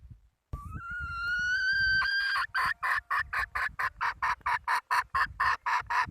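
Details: Domestic hen calling: a long, steady, slightly rising nasal note held for about two seconds, then a quick run of short, raspy clucks repeated roughly twice per second.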